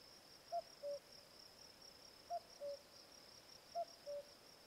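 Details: Common cuckoo giving its two-note falling cu-coo, the first note slightly higher and shorter, repeated three times about every 1.6 seconds, over a steady high insect trill.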